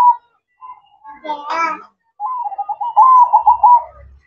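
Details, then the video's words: Zebra dove cooing at night in the perching song style: a brief harsh burst and short soft notes, then a long warbling, trilled coo phrase that grows louder, with a low thump near the end. "Suara Merdu Perkutut Manggung Di Malam Hari"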